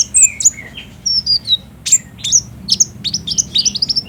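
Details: Olive-backed sunbird singing, used to get a captive bird to sing. Bright, high chirps and downslurred twitters come rapidly, speeding toward the end.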